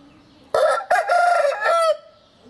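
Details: Oriental Gamefowl roosters, a heavy black-and-silver old cock with his colourful son, in March 2012, giving a rough, harmonic crow. It comes in three joined segments over about 1.4 seconds and falls in pitch at the end.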